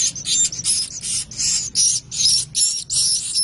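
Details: Young swiftlets beg with rapid, sibilant, very high hissing bursts, about two to three per second, each carrying faint squeaky overtones, forming a steady rasping chorus.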